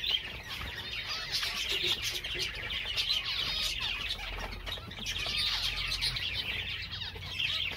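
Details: Java sparrow song within a busy chorus of many birds: bright, high twittering and repeated sharp chirps that overlap without pause, swelling in bursts, with faint low rustling below.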